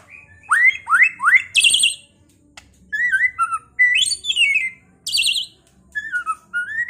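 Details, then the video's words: Singing white-rumped shama from Pekalongan, used as a lure so other birds fight and sing: loud upward-swept whistles in a row, a buzzy high burst, then changing whistled and warbling phrases with short silences. "Pancingan MURAI BATU agar cepat EMOSI dengan suara burung ini"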